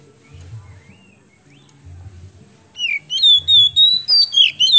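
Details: An Oriental magpie-robin in full, energetic song gives loud, sliding, high whistles in a quick string of about three notes a second, after a quiet opening with soft low thumps.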